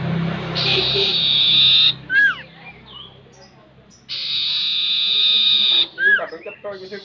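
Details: Sirtu, the Common Iora, heard in a recording meant to make the bird sing: long buzzy sustained tones broken by short curved downslurred whistles, repeated twice.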